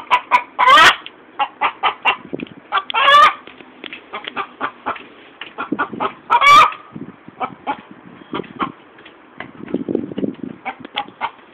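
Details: Chicken calling after laying an egg: a long run of rapid, sharp clucks, several per second, broken by three loud, rising, strained squawks, with softer low clucking near the end.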